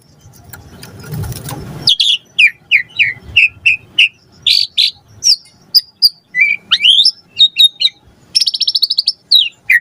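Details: White-rumped shama in lively lure song, full of varied fillers: after a low rumbling start, crisp high whistled notes come about twice a second, ending in rising slurs and a fast rattling trill.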